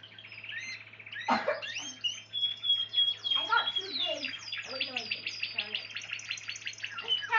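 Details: A pure Spanish Timbrado canary sings a fast, varied stream of high chirps, trills and metallic notes, some sliding down, over a steady low hum.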